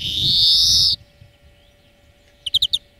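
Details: Greenfinch song lesson for training birds: a loud, long buzzy nasal wheeze lasting about a second, followed after a pause by four quick ringing trilled notes.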